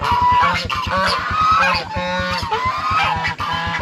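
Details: A goose screaming in fright, giving rapid, harsh, strained honks one after another with brief wavering squeals, above a fast low pulsing drone.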